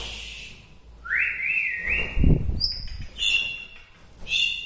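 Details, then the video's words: White-rumped shama from Bahorok, Medan, singing to stir up other shamas: a rising whistle, then a stepped series of clear slurred whistles, followed by sharp high chirps and bright ringing notes. "suwara murai batu Bahorok ini mengangkat emosi murai batu lain"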